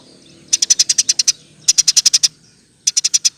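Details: Rapid 'roll tembak' chirping from a Eurasian tree sparrow, used to train other songbirds. Three bursts of clipped high notes, roughly eight, seven and five chirps, each fired off quickly and evenly.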